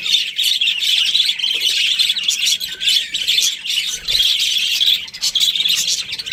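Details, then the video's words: Chirping from a breeding pair of Australian budgies: a steady, busy stream of high, scratchy twitters and squeaks with brief dips in loudness. "Budgies Parrot chirping sounds | Australian budgies breeding pair"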